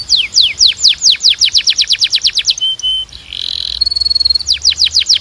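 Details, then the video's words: Canary song used to train canaries: a steady series of about twenty descending whistled notes, a short flat whistle, a buzzy roll, then the rapid sweeps resume. "Melhor Som de Canário Para Treinar"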